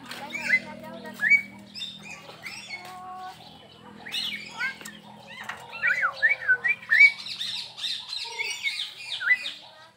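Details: Crested myna, said to be gacor, at a zoo park in Perbaungan: a varied run of sharp chirps, clipped whistles and rasping notes, with a rapid chattering flurry near the end, over faint low background sound.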